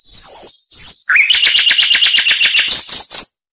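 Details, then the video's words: Oriental magpie-robin tutoring song: a long high steady whistle, a short break, then a dense pulsing trill of rich rattling notes that climbs in pitch and ends on a bright whistled tone. "MASTERAN KACER .MATERI FULL"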